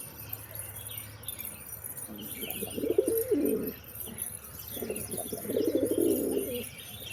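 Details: Two bouts of deep pigeon cooing, each a rolling, pulsed phrase of roughly a second and a half, separated by a brief pause, over a soft constant hiss with faint higher twitters.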